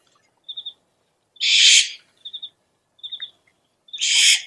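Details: Owl lure sound: two rough, hissing screeches about two and a half seconds apart, alternating with bright, rapid groups of three high chirps.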